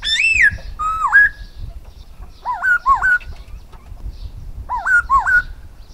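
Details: Silver-eared laughingthrush song opening with an arched whistle and a dipping level whistle. Pairs of quick wavering rising whistles follow, repeated twice. A steady low rumbling noise runs throughout.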